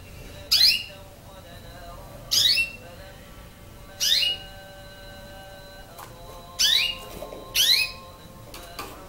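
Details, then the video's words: Nine-month-old canary learning to sing: five loud, sharply falling chirped notes spaced about every one and a half to two seconds, with a faint steady high tone running underneath. "canaris 9 moins chans تعلم التغريد لكناري 9 أشهر"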